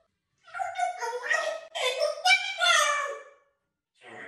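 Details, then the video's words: A pet African grey parrot, prompted to beatbox, gives rapid, choppy voice-like bursts and clicks for about three seconds, then pauses before another short burst. "My African grey parrot BEATBOXING"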